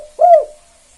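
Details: A single mellow, slightly arched coo from a spotted dove of the 'KUK 2' calling style, used to provoke other doves to join in.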